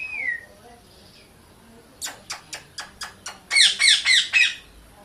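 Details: Pet Indian ringneck parrot indoors, playing energetically: a faint thin whistle, a pause, then seven sharp clicking pulses about every quarter second, followed by four loud, harsh, buzzy squawks in quick succession.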